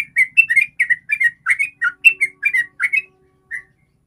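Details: Rapid ropel song of a sooty-headed bulbul, used as a lure to prompt other bulbuls to sing: a quick string of bright, bubbling whistled notes for three seconds, then a lone final note after a short gap.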